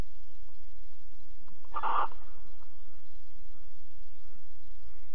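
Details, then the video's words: Barn owl at Alphen on the evening of 22 April 2020, during mating and cuddling; a single short, harsh wheezing hiss about half a second long, otherwise quiet with a faint low hum. "Kerkuil Alphen 2020 04 22 Paring en Kroelen 21 37"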